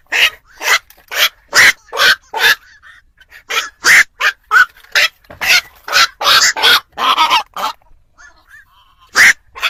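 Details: Black-crowned night heron, used to lure birds into traps at night before Tet: a long run of gruff, barking squawks, some doubled, roughly two per second, easing into a sparse gap before one last croak.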